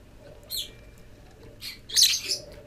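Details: Lovebird chicks, hatched from 13 November, begin leaving the nest on 25 December as the father teaches them to come out. High, thin chirps come in short bursts, the loudest a rough, buzzy cluster near the end, with faint background hum.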